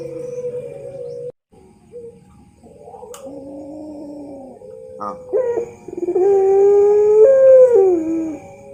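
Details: Puter pelung dove in model training song: quiet broken cooing notes, then louder stuttering pulses building into a long, loud, slightly rising coo followed by a descending slur.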